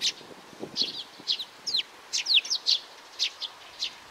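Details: Young sparrow chirping rapidly, clear high notes several per second, some with a quick downward slur, light low rustle in the background.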